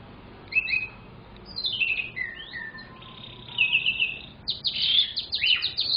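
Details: Young canary song given in separate phrases: short whistled notes, a descending slur, a sustained buzzy trill and, at the end, a burst of fast high chattering notes, all on a quiet background.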